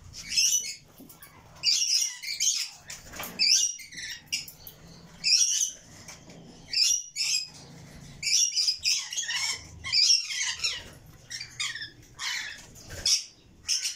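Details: Red lory chicks making a steady series of rasping, screechy squawks, short harsh bursts repeated roughly every half second to second over a long stretch.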